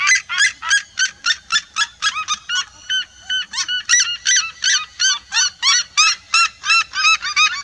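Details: Red-legged seriemas singing as a flock, a vigorous rhythmic series of shrill yelping notes with a brief overlapping tangle of voices in the middle.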